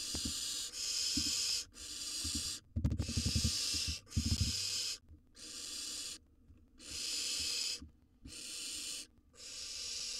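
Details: Wild barn owl nestling in a monitored nest box, eating a gerbil: harsh, breathy hissing bursts about a second long, repeated with short gaps, mixed with low thumping and rustling as the prey is handled.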